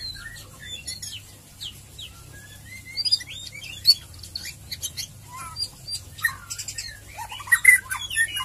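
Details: White-rumped shama, called murai batu, in ngeriwik ngeplong song used as a quick lure to make birds sing: spaced whistled slurs that become a busier burst of rising and falling notes and sharp high chips toward the end.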